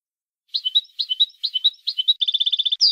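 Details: Syrian goldfinch singing its certified song style number 31, with liquid, tinkling two-note motifs repeated several times, then a fast even trill of high notes before a short buzzy upswept ending.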